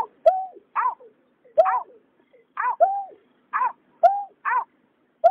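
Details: Calling greater painted-snipe, both sexes, 2021: nasal notes alternate with slightly longer, arching tones in an uneven, steady rhythm of about two notes per second, with occasional clicks and no other sounds.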